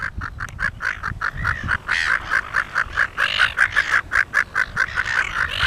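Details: Silver Gull pair putting on a show on Penguin Island, Rockingham: a long sequence of rapid, clipped nasal notes, roughly two to three per second, irregular in loudness, with strained rasping overtones in the later part.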